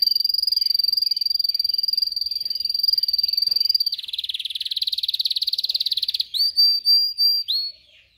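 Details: Canary song for training canaries to sing: a long rapid trill on one high pitch, then a buzzy rolling trill, then several separate clear rising whistled notes.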